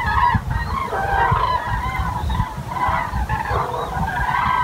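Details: Near Wiesbaden-Auringen, common cranes give repeated bugling, honking calls that overlap in quick succession, with strong low wind-like rumble underneath.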